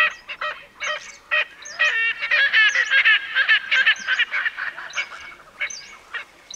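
An Erckel's francolin gives a loud, harsh, cackling series of rapid grating notes that swell into a fast chatter, then break into a few spaced, rasping phrases.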